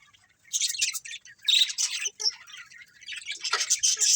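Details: Budgerigars in a colony chirping in bursts of shrill, high twittering notes, broken by short pauses between busy chattering phrases.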